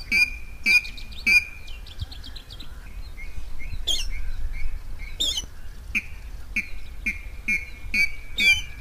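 Water rail giving harsh, squealing calls with a sharp whistled tone, repeated about every half second to a second, over a low background rumble.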